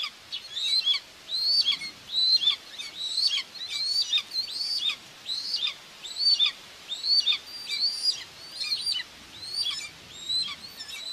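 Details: Common buzzard nest in Tiszalök, Hungary, 2 June 2024, with the mother feeding two chicks. Piercing downslurred whistles are repeated regularly, about every second, over a soft background hiss.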